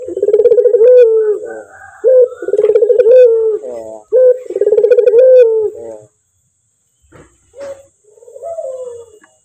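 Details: Male Barbary dove, or puter, with a clear voice, cooing loudly: three long, low, vibrating coos in quick succession, then a quieter pause and a softer final coo.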